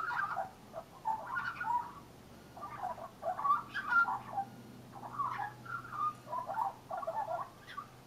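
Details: Young leucistic Australian magpie with brown and white plumage, perched on a railing and singing: mellow warbled phrases around one to two kilohertz in short bursts with brief pauses between, faint steady hum underneath.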